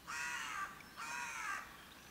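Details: Two loud, rasping raven calls in quick succession, each grating and about half a second long, separated by a brief pause, over a low steady background hiss.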